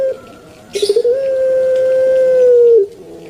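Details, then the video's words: Pelung-style puter turtle dove kept as a pet, known for its long thick 'kwok': a quick rolling burst of short gurgling notes leads into one drawn-out, even, hollow coo held for nearly two seconds before it drops off. "𝙋𝙐𝙏𝙀𝙍 𝙋𝙀𝙇𝙐𝙉𝙂 𝙎𝙐𝘼𝙍𝘼 𝘼𝙎𝙇𝙞 𝙋𝘼𝙉𝙅𝘼𝙉𝙂 𝙆𝙒𝙊𝙆 𝙏𝙀𝘽𝘼𝙇"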